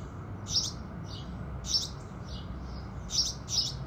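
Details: House sparrows singing at sunrise in the morning: four short, bright chirps come in two loose pairs over a few seconds, with soft fainter chirps between them over a low steady background rumble.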